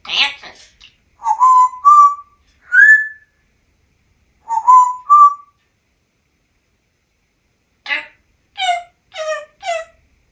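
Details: Pet African Grey Parrot in a Texas home, perched on a trash can, whistling a familiar tune: a few rising whistled notes, a pause, the phrase repeated, then a run of short harmonic squeaky utterances, indoors.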